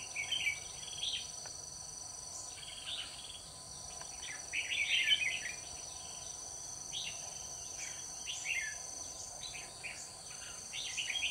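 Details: Decoy red-whiskered bulbul at a trapping site on 21 October 2019, pouring out high soaring fighting-style phrases to lure wild bulbuls; repeated chirpy, warbling bursts over eleven seconds against a continuous insect drone.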